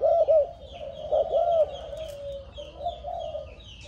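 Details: Young Malaysian spotted dove, seven months old and descended from a stammering-style decoy bird, cooing with a few clear arched notes early on that fade into softer, drawn-out coos, with continuous high chirping of other birds behind.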